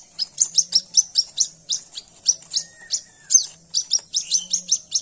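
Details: White-breasted waterhen chick found at dawn: thin, high peeping cheeps repeated rapidly, about two to three per second, with brief pauses; a faint low hum underneath.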